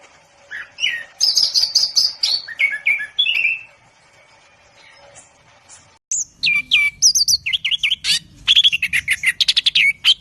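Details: Orange-headed thrush (anis kembang) song in two parts: first a run of warbled whistles and slurred notes, then after a quiet gap a fast sequence of sharp, sweeping whistles and rapid repeated chips.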